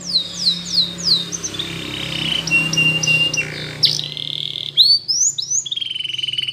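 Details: Spanish Timbrado canary in morning song, a few looping falling notes over steady background hum, then flat held tones, sweeping whistles and a fast buzzy trill toward the end.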